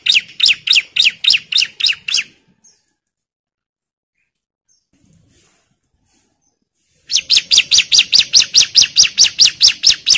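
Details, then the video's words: Bar-winged prinia (ciblek), a kept songbird singing hard and challenging a rival: two bursts of sharp, high, evenly spaced chip notes, about four a second, split by roughly five seconds of silence. "BURUNG CIBLEK GACOR NGAMUK MANGGIL LAWAN"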